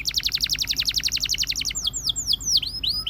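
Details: Russian canary in song: a rapid trill of short falling notes, about a dozen a second, gives way to slower, wider swooping whistles.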